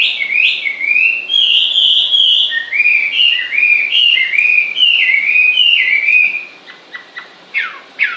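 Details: Bird singing continuously in a soothing way: a run of clear whistled phrases, each slurring up and down, given about twice a second and then breaking into a few sharp down-slurred notes near the end.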